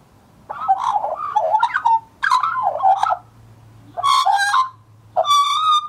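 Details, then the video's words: Australian magpie warbling his heart out in four rich, fluting phrases of jumbled gurgling notes sliding up and down over a faint low hum; a male recorded as a scruffy juvenile in 2014. "Australian Magpie Warbles His Heart out"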